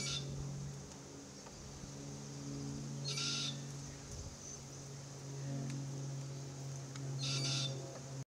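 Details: Threatened Forest Red-tailed Black-Cockatoos (Calyptorhynchus banksii naso) in a Marri tree, the immature calling incessantly as adults crack gumnuts; grating screeches about every four seconds over a constant low droning hum.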